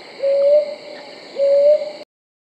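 Two soft, mellow hoots from a brown hawk owl, each slightly rising, about a second apart, over a faint steady high drone.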